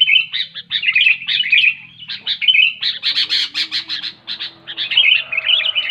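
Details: Sooty-headed bulbul singing loudly and clearly, meant to spur silent bulbuls into song: rapid jumbled chirps and squawky bubbling phrases in quick bursts, a faint low hum partway through.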